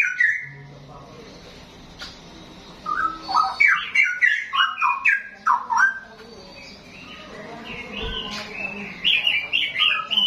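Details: Young wild-caught straw-headed bulbul singing: after a quiet start, loud liquid warbled notes jump and slide between low and high pitches in quick bubbling phrases, with a few short bursts of background noise.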